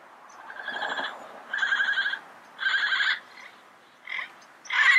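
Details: Yellow-headed parrot in the wild producing drawn-out, buzzy, rattling calls, three long ones followed by shorter sharper squawks.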